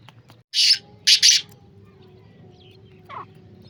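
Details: Black francolin giving a brief harsh call: one rasping note and a quick doubled scratchy note, then quiet with a low hum and a faint distant chirp.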